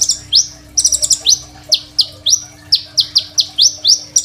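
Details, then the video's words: Lively Crimson sunbird song with many varied phrases, meant as tutor material for other sunbirds, recorded by phone: opens with fast glittering high ticks, then brisk upslurred squeaky notes about four per second, steady low hum behind. "KOLIBRI NINJA GACOR FULL ISIAN SUPER MEWAH, 100% COCOK BUAT MASTERAN KONIN BAHAN"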